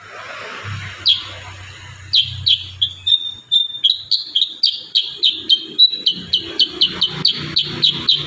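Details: Kurincang delivering a 'tembakan rapat' song, a close-packed series for training songbirds. After a brief opening note comes a long run of rapid, evenly strong high chips, each dropping slightly in pitch, about three or four per second.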